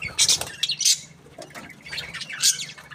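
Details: Happy budgie sounds: a couple of loud sharp chirps and harsh bursts at the start, softer scratchy chatter in the middle, then another strong squeaky burst, all over a faint steady hum.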